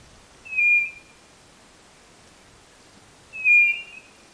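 White-bellied nothura giving two clear, high whistled notes, each about half a second long and nearly three seconds apart, over a faint hiss.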